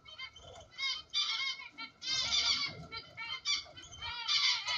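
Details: Ornamental cockatiels chattering in a dense run of harsh, rasping, harmonic calls in quick bursts, almost continuous throughout with only brief gaps.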